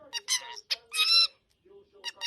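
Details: An unidentified bird described as weird and funny gives harsh, buzzy squawks in short bursts with rich overtones, a longer grating note near the middle, then softer clipped notes after a brief pause.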